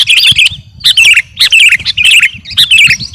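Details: Kutilang garuda sooty-headed bulbul singing for captive-bird training: five bubbly, liquid phrases, each a quick tumbling run of whistled notes, repeated about every six-tenths of a second with short gaps.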